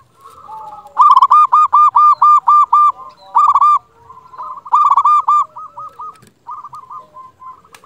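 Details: Zebra dove of local stock, kept as a lure to stir other doves into replying, delivers loud bursts of rapid, rolling coos in quick beats, pausing between phrases and trailing into softer trilled notes.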